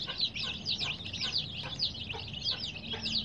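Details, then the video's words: Baby chicks with dyed feathers call in loud, high, sliding peeps, repeated quickly and unevenly by several birds at once. "Baby "Chicks Chirping" Sound"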